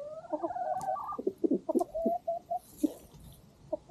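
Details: Rooster and hens on a farm at sunset as a dog eats: a held tonal note, then irregular short clucks and brief whistled notes, about four per second, with light background noise.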